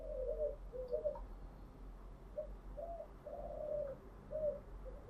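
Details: In the morning a caged spotted dove gives gentle, low coos in uneven clusters of short and longer notes, over a steady low rumbling background.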